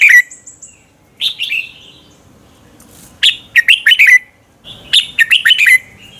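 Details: A red-whiskered bulbul sings in the morning as a lure for training birds to sing in contests; repeated bright warbled phrases of four to six rollicking notes separated by short pauses, with faint high whistles.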